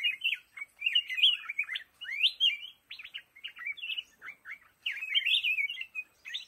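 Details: Black-crested bulbul in lồ ô bamboo giving continuous chattering, warbled song, with twisting whistled notes strung closely together and a longer fluid phrase toward the end.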